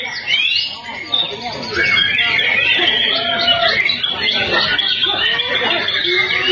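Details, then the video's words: Songbirds named as starling, oriental magpie-robin and white-rumped shama singing vigorously; a dense, unbroken tangle of warbled, whistled and chattering phrases from overlapping voices, loud and steady from start to finish. "BURUNG GACOR JALAK KACER MURAI"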